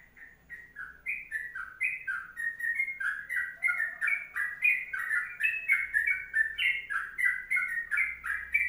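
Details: Sooty-headed bulbul delivering an extended 'ropelan panjang' song, a lively string of short warbling whistles repeated about three times a second. The string grows louder and denser midway, with a soft low rumble at times.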